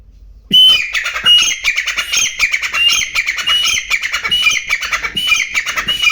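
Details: Grey francolin in the wild giving loud, grating, rapidly repeated call phrases with brief whistled notes, continuous after a short quiet start, more than one bird perhaps overlapping.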